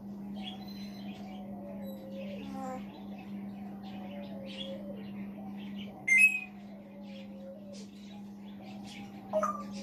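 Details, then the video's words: Pet male African grey parrot, sitting on a chair in the background indoors, talking to himself: soft wavering whistled tones and murmured syllables, with two sharp louder chirps near the end over a steady low electrical hum. "THE AFRICAN GREY TALKING TO HIMSELF"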